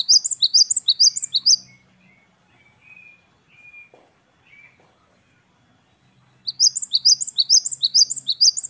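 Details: Gelatik batu wingko, the great tit Parus major, singing actively in the 'wucit wucit kristal' style: rapid runs of sharp, high paired notes, a quiet stretch of faint thin whistles, then a second long run of ringing phrases.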